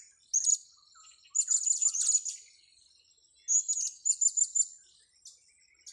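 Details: Blue-crowned hanging parrot being lured, giving shrill, very high chirps in quick bursts: a short note, then two rapid stuttering runs of sharp tsit notes. A steady thin high insect-like whine runs beneath.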